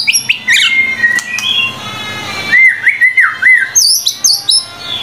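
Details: Tutor material of an energetic White-rumped shama: high sharp notes and short whistles, then a string of looping, mellow whistled phrases repeated three times, ending in high chirps, with a faint low hum.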